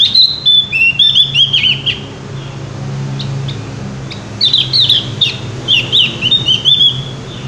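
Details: Javan grey-throated white-eye singing loudly and freely: a rapid string of high, slurred whistles opens, a short lull with low rumbling follows, then another lively run of sweeping notes.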